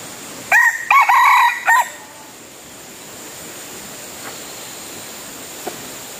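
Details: Red junglefowl crow heard while luring wild birds using a decoy: a loud rasping multi-part crow of about one and a half seconds, then a long quiet stretch with steady background hiss.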